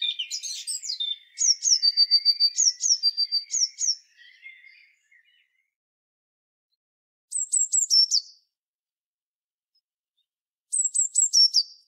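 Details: Repeated phrases from a Eurasian blue tit, clean and high: a busy burst of notes, then evenly spaced paired notes, followed by two short series of sharp descending notes after pauses.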